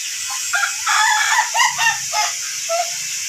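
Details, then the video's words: Ayam Ketawa (laughing chicken) of the long-duration type, in training for a long crow: irregular bursts of harsh, broken syllables rising and falling, with short gaps between louder stretches. "AYAM KETAWA TYPE DURASI KOKOK PANJANG"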